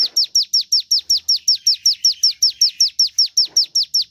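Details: Javan tesia, locally ciblek gunung, delivers rapid high chips that fall steeply in pitch, about sixteen in four seconds, at a regular rhythm. The recording serves as a lure to prompt other birds to sing.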